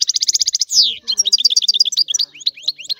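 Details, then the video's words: European goldfinch song opening with a rapid even trill, then a loud falling buzzy slur, followed by a lively jumble of high liquid twittering notes. "تغريد الحسون"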